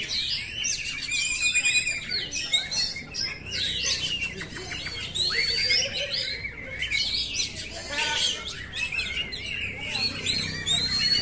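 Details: Oriental magpie-robin song for training caged birds: dense, varied run of whistled phrases, rising and falling notes and harsh chirps, overlapping calls, with faint background hum.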